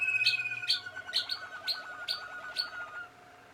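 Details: Young Malinois Waterslager canaries, 2016 birds, mixing sharp high ringing notes every half second or so with a fast rolling, bubbling low trill. The song drops away near the end, leaving a faint hum.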